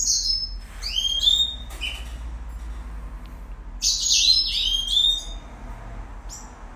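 Red siskin singing a fast, high twittering song of buzzy notes and sliding chirps, in two bursts, over a low steady hum.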